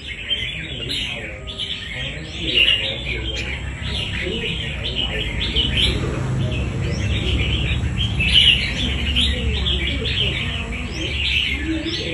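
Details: Wild-caught red-whiskered bulbul kept as a fighting bird, singing dense runs of bright chirping, warbled phrases almost without pause; a low steady hum and faint voices underneath.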